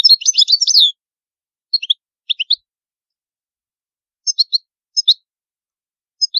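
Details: Goldfinch singing the traditional Palermo Sicilian song, recorded clean with no background noise: a brief burst of rapid high twittering, then sparse short chirps in pairs and triplets separated by pauses of about a second.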